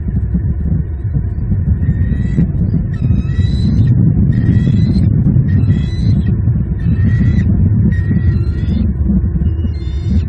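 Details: Live nest camera in Southwest Florida, January 11, 2022, evening: an adult Bald eagle pair feeding their two eaglets; a series of high, piping, slightly rising notes repeated every second or so, partly masked by constant loud wind roar.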